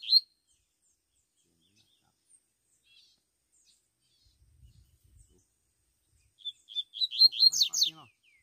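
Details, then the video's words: Double-collared seedeater out in the bush: after a long near-silent stretch with faint rustles, a clear high phrase of separate notes speeds into a loud burst of rapid, sweeping chirps. "coleiro soltando canto no mato"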